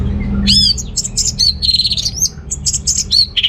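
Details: Orange-headed thrush singing to excite males short on breeding drive: a bright arching whistle followed by a rapid mix of high buzzy trills and slurred notes.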